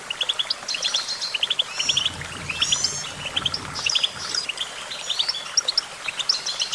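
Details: Continuous goldfinch song of sharp, rapidly repeated chirps in quick rhythmic runs, mixed with short slurred whistles, over light steady background noise.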